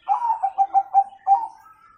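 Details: Zebra dove, Bangkok or local type, singing a "kung" tone song used as a master recording to train young birds: a low, mellow coo of rapid pulsed notes ending in a drawn-out, fading note.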